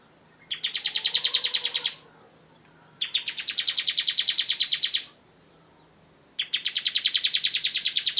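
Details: Bar-winged prinia singing, used for training birds: three fast, rattling trills of crisp repeated high notes, each around two seconds long, with short gaps between them.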